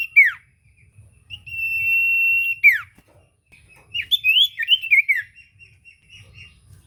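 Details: Common iora singing, a lure to make a quiet bird respond: a sharp downslurred note, a long level whistle, another falling sweep, then a run of tumbling slurred whistles.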